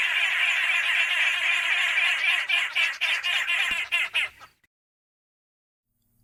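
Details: Arrow-marked babblers in southern Africa give a harsh, raucous chattering chorus, a dense rasping din that breaks into a few separate squawks before stopping abruptly.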